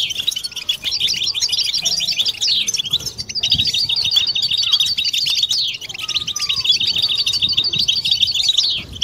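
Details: Collective twittering of European goldfinches, used to encourage mating song and stimulate females. Rhythmic bursts of rapid high twitters alternate with sweeping slurred notes, rising and falling in waves of about two to three seconds.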